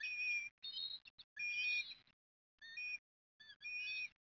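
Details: Begging of eastern osprey chicks being fed on their nest at Port Lincoln, Australia, 30 October 2021: shrill, slightly wavering whistled squeals in rapid bursts, some clipped short, with brief gaps between.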